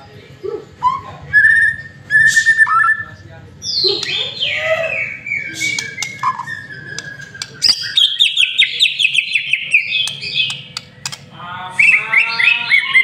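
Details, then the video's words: White-rumped shama lure song, a long varied medley of whistles, chattering trills and buzzy sweeps with sharp clicks between phrases. "Murai Batu Masteran sekali Pancing Langsung GACOR"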